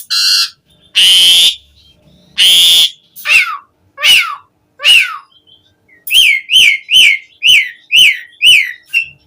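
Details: Asian pied starling singing, used as a lure for captive starlings: a few rasping bursts, then clear descending whistles and a rapid series of sharp falling chirps.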